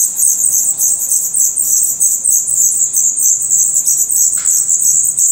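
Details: Black redstart young in their nest in Portugal, eyes open and adult plumage developing, produce a constant, loud stream of very high sibilant squeaks in fast overlapping pulses, with a faint lower sound near the end.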